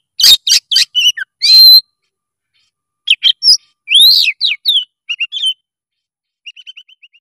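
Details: Oriental magpie-robin in energetic song: loud, varied bursts of sharp whistles, rising and falling slurs and scratchy notes in short phrases separated by pauses, ending with a soft rapid trill-like series.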